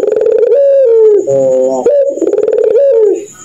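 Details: Puter pelung dove calling at night, a mocking laugh-like song: a loud, hollow, wavering coo that drops in pitch, a buzzy rolled middle phrase, then the descending coo again. Indoor room echo.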